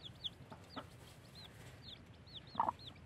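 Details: Chicks just out of the egg, kept with a blackish hen. Thin, high, arched peeps repeat steadily across a few seconds, joined near the end by one short, lower, louder note.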